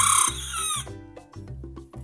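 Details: Young miniature Aztec/Sebright bantam rooster crowing for the first time, early morning; still small though a month or two older than nearby chicks. Thin, high, strained crow under a second, falling at the end, then background music with a low beat.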